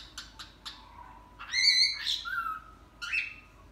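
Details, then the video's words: Pet cockatiel saying "Hare Krishna": three short clicking taps, then a bright, harmonic, voice-like phrase of a few syllables, then a whistled note, with a steady low hum behind. "My Cocktail Says “Hare Krishna” !!"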